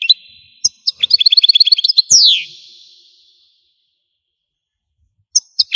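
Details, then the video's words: European goldfinch from Algeria singing: a burst of quick repeated chirps, then a loud descending slurred note fading out, followed by silence and a few sharp clicks and chirps. "تغريد الحسون قمة الابداع ! حسون جزائري"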